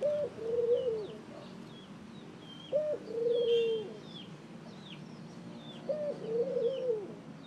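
A ring-necked dove gives three low, hollow coo phrases about three seconds apart, each a short note then a longer one, with faint chirps of small birds behind.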